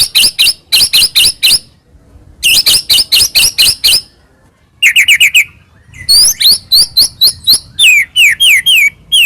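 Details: A singing white-rumped shama, Medan type, used as a lure to provoke another shama: bursts of rapid sharp chips, a fast descending series of notes, then many quick whistled slurs rising and falling.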